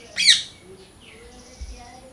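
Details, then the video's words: A parrot gives one loud, harsh, rising-and-falling chirp, rich and squawky, followed by near silence with a faint soft note. "Loud Parrot Chirping Natural Parrot Sounds Parrot Calling Sounds"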